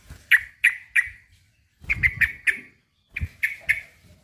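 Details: Male sooty-headed bulbul calling a rival: short bright chirps in three groups, three notes, then four, then three, separated by brief pauses, with soft low thumps underneath.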